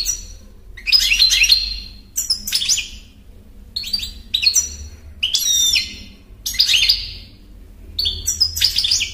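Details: Lively European goldfinch song: a string of six or seven twittering, chattering phrases with sharp rising and falling notes and buzzy trills, spaced roughly a second apart, against a low steady hum.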